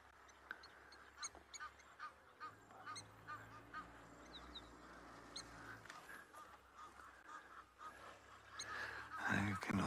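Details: Egyptian geese honk in hoarse, repeated bursts, a little over two per second, in the late afternoon on a South African sunset safari, with sharp metallic calls of a blacksmith lapwing and a man speaking over them.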